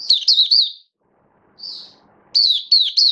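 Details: Oriental white-eye kept for the bird hobby, in build-up form on 19 September 2022, giving high wavering chirps, a pause with a single soft whistled note, then another fast run of chirps.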